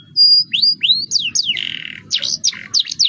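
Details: Canary in rolling song meant to prompt other birds to sing: a pure high whistle, then quick swooping slurred notes, a buzzy trill and fast chirping phrases.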